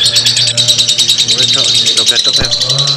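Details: Continuous long chatter, or ngekek, of a lovebird: quick shrill pulses packed tightly together, with a few lower warbles and a steady low hum.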